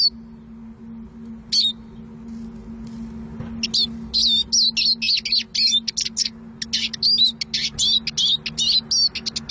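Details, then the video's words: Eurasian siskin song: after a few isolated notes, a fast, high twittering run of short chirps and buzzy trills sets in. A steady low hum runs underneath throughout. "Eurasian siskin song(Carduelis spinus)"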